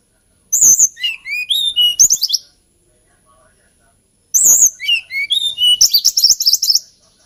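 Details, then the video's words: Melodious hill blue flycatcher song: two flowing phrases of high whistles, each opening with a sharp note and tumbling through varied slurred tones, the second ending in a fast trill. "TLEDEKAN GUNUNG KICAU MERDU"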